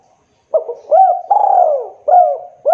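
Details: Spotted dove call meant to draw replies from other doves: low mellow coos, a brief stutter, then a drawn-out falling coo followed by two shorter rising-falling notes, with a quiet background.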